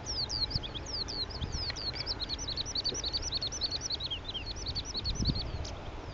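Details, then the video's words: Perched male Oriental skylark in Petchaburi, Thailand, digiscoped; an unbroken, fast medley of high upslurred and downslurred whistles and twitters, with faint low noise in the background. "Oriental Skylark (Alauda gulgula)"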